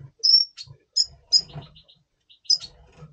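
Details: Red siskin, double pastel colour form, in breeding mood before breeding in November 2023, kept in captivity: a sustained high whistled note followed by scattered sharp chirps and soft twitters over a faint low hum.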